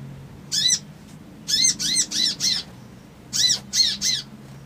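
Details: Crimson sunbird male calling in agitated bursts, harsh buzzy chips grouped in runs of three or four with short gaps, each note carrying a downcurved lower stroke; low hum underneath.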